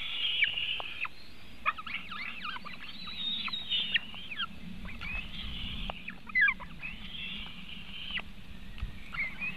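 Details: White-tailed eagles at a nest in Latvia in June, during feeding of the eaglets in the afternoon: thin, high, squealing calls overlapping almost continuously with quick downward slurs, over a low steady rumble of wind.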